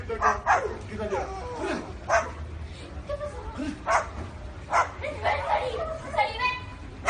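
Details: A parrot mimics a dog's barking with harsh, clipped woof-like notes, some doubled and some followed by softer whining sounds, over a steady low hum.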